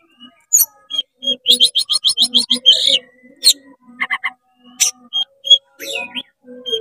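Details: Agitated oriental magpie-robin in full, fast song with tail spread, singing to provoke rival magpie-robins: rapid rattling runs of sharp high notes broken by short pauses, clear whistles and scattered chips.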